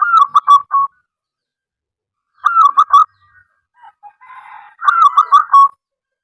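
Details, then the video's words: Local zebra dove (perkutut) song used to prompt other doves to sing: three loud phrases of rapid, chopped cooing notes with a brief soft warble before the last one, otherwise quiet. "perkutut lokal gacor suara aneh"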